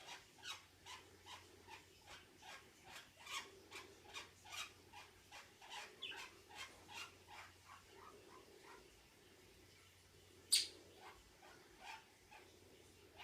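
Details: A pet budgerigar making a noise its owner calls weird and cannot explain: a steady run of short, sharp chirping clicks, about two or three each second.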